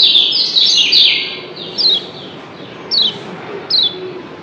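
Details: Lombok yellow white-eye, called kecial kuning, in its 'doble ciak' answering call: a bright burst of fast high chirps, then single thin down-slurred notes spaced about a second apart.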